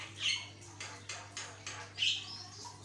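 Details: A Javan myna, played as a master recording to get other mynas singing, gives a harsh, rasping song of scratchy chatters with two brief high whistles, about five bursts in three seconds, over a low steady hum.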